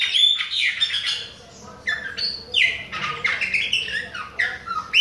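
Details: Bahian chopi blackbird that keeps singing at other birds, pouring out a varied run of liquid whistles, rising slurs and rough chattering notes in quick succession, with brief pauses between phrases.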